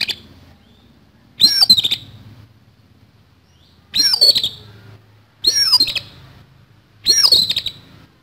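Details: Kacer fighting song, harsh-filled style, from an oriental magpie-robin: four loud bursts of high descending whistles fused with rapid rattles, repeated every one and a half to two and a half seconds over a low hum.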